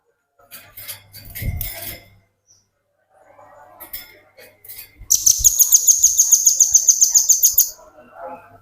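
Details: Velvet-fronted nuthatch singing, used as tutor material for training other birds. After scattered high chips and a low thump, a shrill, fast-pulsed trill runs steadily for about two and a half seconds, then faint softer notes follow.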